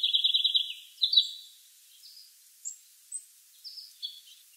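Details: Red house finch singing on a clear blue-sky day, opening with a fast buzzy trill that slides into a bright slurred phrase, then a scattering of thin, high separate chirps spaced about half a second apart.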